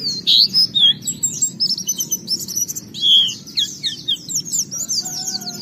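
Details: Oriental white-eye singing energetically, played to prompt other white-eyes into song: dense high-pitched twittering with rapid downslurred and upslurred notes, sustained jumbled warbling and a few brief pauses, soft low hum in the background.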